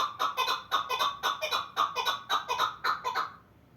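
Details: Pamir chukar partridge calling with a burst of loud, grating chuck notes about twice a second, then breaking off into quiet after three seconds.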